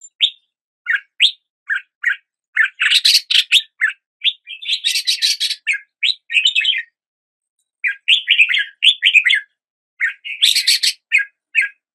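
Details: Red-whiskered bulbul singing steadily: a stream of short, rising chirps mixed with dense, harsher bubbling bursts. A brief lull comes near the middle.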